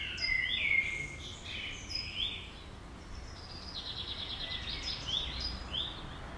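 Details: Common swifts passing by a house give high, thin, buzzy screams in quick sliding bursts that pass several times, over a steady low background rumble.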